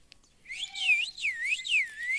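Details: Blue ringneck parrot, a pet bird, giving a loud whistled phrase that swoops up and down in smooth repeated waves for about two seconds, with no other sounds.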